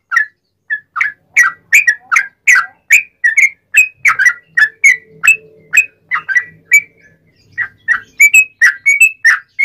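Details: Sooty-headed bulbul song for training and provoking other bulbuls: nearly ten seconds of varied whistled notes at a lively, uneven pace, some slurred down and some rising, with faint low background hum.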